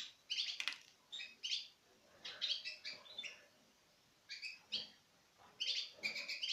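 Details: Citril finches in pairs take food from a hand, recorded in 2016. Clusters of thin, high chirps come about every second, with a quiet gap near the middle.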